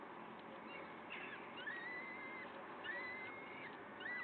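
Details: Peregrine falcon at the nest in Wakefield on 5 May 2021 at 06:55: a few drawn-out, thin, level whistled calls, slightly rising at the start, each lasting about half a second, over steady broadband hiss.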